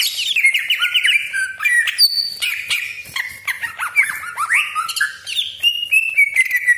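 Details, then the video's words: Greater green leafbird singing a long rolling 'roll panjang' phrase meant to trigger other leafbirds: dense varied whistles, quick upward sweeps and chattering notes in unbroken succession. "CUCAK IJO GACOR DOR TEMBAKAN TAJAM BESETAN KASAR ROLL PANJANG FULL ISIAN"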